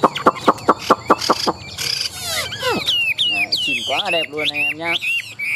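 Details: Caged Chinese hwamei, tame and kept for song contests, starts with evenly spaced clicking notes, then a harsh burst followed by a jumble of slurred, rising and falling whistles.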